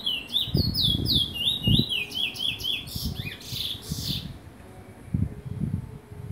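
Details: Lesser seed finch from Trinidad delivering a rapid warbled phrase of swooping whistled notes lasting about four seconds, ending in a brighter burst, followed by scattered low knocks and thumps.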